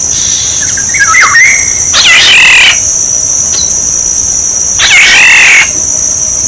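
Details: Black-naped oriole decoy recording: a short descending fluty whistle, then two drawn-out harsh, nasal, wavering calls about three seconds apart, over a steady shrill electronic whine.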